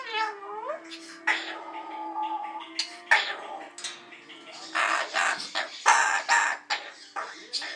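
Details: A pet cockatoo singing and dancing gives warbling, wavering tonal sounds with sliding pitch and harsher bursts, while a person talks to it and asks if it is done singing.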